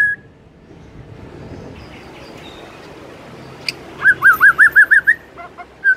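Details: Morning song of a white-rumped shama: after a few seconds of quiet hiss, six quick, bright whistled notes, each slightly rising, repeat rapidly, followed by one more whistle.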